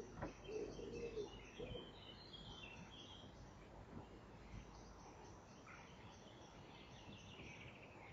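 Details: Stock dove on a nest-box camera at 08:18 on 4 June 2014, settling onto its egg while turning and shifting. Two low, soft hollow coos come in the first two seconds, then quiet hiss with faint high chirping from small birds.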